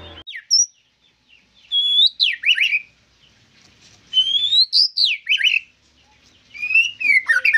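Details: White-rumped shama singing loud, clear whistled phrases: high rising and falling notes and swooping slurs in bursts separated by short pauses, about every two to three seconds.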